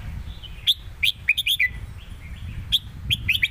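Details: Caged red-whiskered bulbuls in a phrase-for-phrase singing duel in the southern master song style: bright whistled notes in quick bursts, a cluster of five around the middle and another run near the end, over low background rumble.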